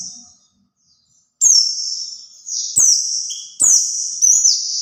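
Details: Lure song of a white-eye meant to draw in other white-eyes; after a quiet start come loud, high sustained whistled phrases, each opening with a bright flourish and gliding lower, given about every second.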